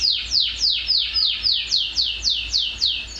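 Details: Shrill song of a caged canary whose neck feathers are still bald, not yet in full condition: a fast series of bright, steeply descending whistled notes, about three to four each second, evenly repeated.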